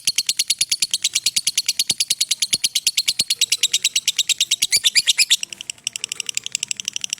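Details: Lovebird performing a long 'ngekek' trill, suited as a master recording for training: rapid, regular high-pitched chattering notes for about five seconds, then a softer, looser continuation.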